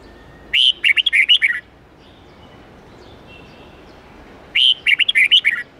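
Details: Twisting forest-style red-whiskered bulbul song with 8-9-10 notes, a training song for young birds: a full phrase of a whistled start and quick warbling notes, a three-second near-silent gap, then the same phrase repeated.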